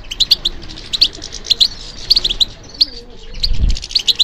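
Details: European goldfinch in captivity, trained for song competitions, giving twittering song of crisp high double chirps and buzzy notes, interrupted by a brief low thud or knock near the end.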